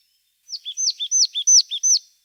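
Marsh tit song: a quick run of five paired notes, each a high, sharply falling whistle followed by a lower chip, in under two seconds.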